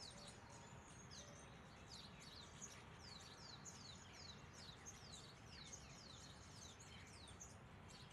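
A flock of mynas chattering together, a dense overlap of sharp chirps, downslurred whistles and squeaks, over a steady low rumble of background noise.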